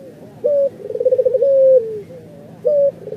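A Barbary dove coos low and soft: a brief hooted note, a rolling purred trill, a long level coo sagging at its end, then another short note.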